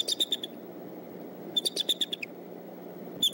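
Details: Decorah bald eagle nest at sunrise, 22 March 2014, as the father arrives about 6:30 a.m.: rapid strings of thin, high chittering notes, four then seven in a row, against constant low-pitched hum.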